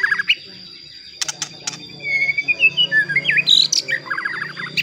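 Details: White-rumped shama song played to provoke other shamas, with chirps, clicks, a drawn-out wavering whistle and a fast stuttering trill, over a steady high tone and low rumbling background.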